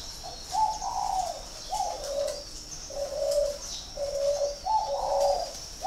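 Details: Repeated cooing phrases from a spotted dove in northern Vietnam, at a Ba Vì, Hanoi bird farm: paired hoo notes, the first higher and swelling, the second lower and flat, with a steady high hum.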